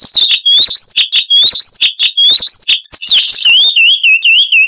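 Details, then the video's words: Sylvia subcaerulea, the Chestnut-vented warbler of South Africa and neighbouring countries, sings a crisp, dense stream of rising and falling whistled notes, each slurred, ending in a rhythmic run of wavering whistles. "Masteran Burung Luar Negeri Suara Asli Kristal HD - Chestnut-vented Warbler (Sylvia Subcaerulea)"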